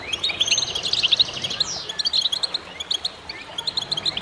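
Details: Goldfinches in a singing concert meant to encourage other birds: a rapid tinkling trill and a descending slur open the clip, followed by scattered bright chirps at uneven intervals.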